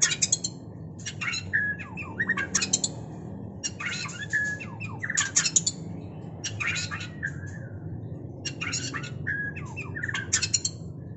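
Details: White-rumped shama (murai batu) recorded during mating: dense, rapid bursts of sharp chirps, squeaky downslurred notes and short whistles, packed in quick clusters, over a steady low hum.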